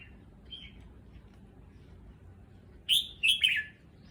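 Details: Red-whiskered bulbul in a new cage at an unfamiliar location, faint chirp early, then after a pause a bright, emphatic whistled phrase of three descending slurred notes.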